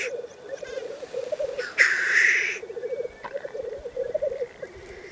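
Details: Several male black grouse (Lyrurus tetrix) displaying at a lek in the Cairngorms, Scotland: low, continuous dove-like bubbling, broken by a loud hissing sneeze near the middle.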